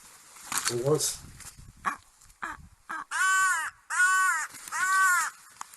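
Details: Common Raven gives three loud, harsh, drawn-out caws about a second apart after a man speaks, calling in the background during winter 2010 in the Kerry Biosphere, Ireland, with the Girrameen River frozen over, alongside hooded crows and a young white-tailed eagle.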